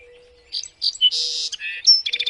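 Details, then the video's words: Small songbirds in a training recording for caged songbirds: rapid high chirps, a loud buzzy hissing burst, a clear whistled note, then a quick series of short sharp notes, over a faint steady low hum. "MASTERAN BURCIL | suara burung jernih bagus untuk masteran burung kicauan"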